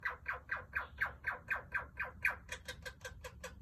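A male Princess parrot gives harsh, scratchy chattering notes about four per second, growing higher and buzzier toward the end, over a low indoor rumble.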